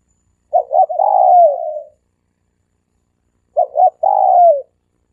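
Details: Three-coo style dove calling, a recording used as a decoy to lure doves: two phrases about three seconds apart, each two short clipped notes and then a long, low, slightly falling coo, in clean silence.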